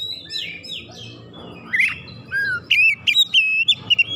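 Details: Oriental magpie-robin singing to stir other magpie-robins. It opens with soft slurred whistles over a low humming background, then breaks into a string of clear, sustained whistled notes and sharp chips.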